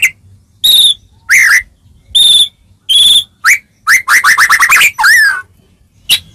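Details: Song of a white-rumped shama, used to provoke other shamas into replying: pure drawn-out whistles, upslurred notes and a rapid stuttering run, then a falling slurred phrase, in clean separated bursts.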